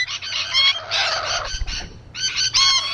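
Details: Several rainbow lorikeets on a wall utter harsh, ringing screeches in three loud bursts separated by brief quieter gaps.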